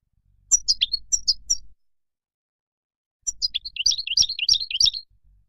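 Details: Wild-style European goldfinch song meant for tutoring young birds: a short phrase of high, sharp tinkling notes, a pause of over a second, then a longer run of fast liquid twitters and buzzy trills.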